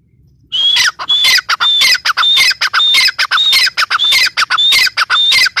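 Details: Following a moment of quiet, a teetar, the grey francolin, bursts into an energetic run of piercing, whistled, rasping phrases, repeated evenly and rapidly to the end.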